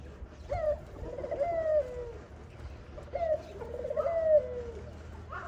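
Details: Dove, locally called khumra, a mother feeding her baby: two low, wavering, tremulous cooing phrases, each lasting under two seconds, separated by a short pause, over a quiet rural background hum.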